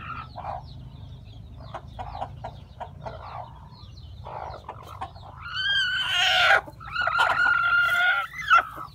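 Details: Chickens on a farm where new chicks are hatching, soft clucks and chick peeps that build into loud, harsh squawking cackles toward the end.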